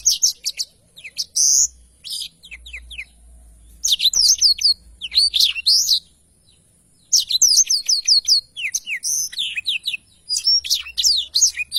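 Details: Blackthroat singing a long, energetic rolling song recorded clearly: dense clusters of sharp high chirps and quick whistled slurs in phrases of one to three seconds, separated by brief silences.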